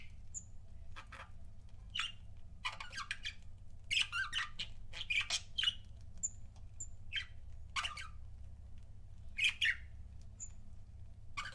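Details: Pet budgerigar couples chirping indoors: bursts of squawky, harsh chirps between 1 and 8k, with a few short high whistled notes in between, over a steady low hum.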